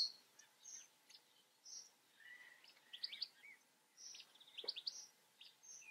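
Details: European goldfinch (Carduelis carduelis), song.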